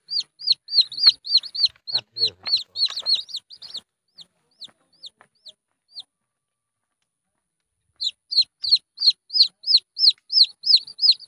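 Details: Red junglefowl chick calling: loud, high peeping notes, each arched and falling, repeated about three times a second in a fast run, a quieter scattered stretch, a pause, then another steady run of peeps.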